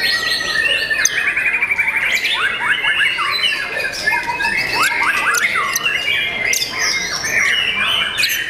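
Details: Young white-rumped shama kept in a cage, competition quality, pouring out rapid repeated trills and downward-sweeping whistles in quick series, a rich and varied song with harsh accents.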